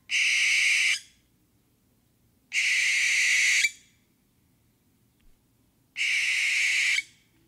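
An owl gives three harsh, hissing screeches, each about a second long, spaced roughly three seconds apart; otherwise quiet.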